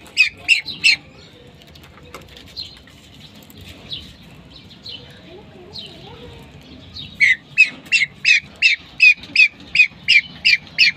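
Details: Calling female pheasant: a short burst of quick harsh notes at the opening, a mostly quiet middle with faint sounds, then a long steady run of loud repeated squawks, roughly three each second.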